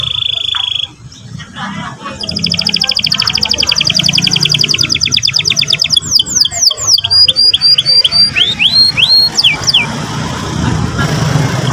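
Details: Young canary song, played to provoke a young bird into singing, with rapid trilled rolls and repeated chirping notes, high and bright, ending in quick upswept whistled slurs over a low background rumble.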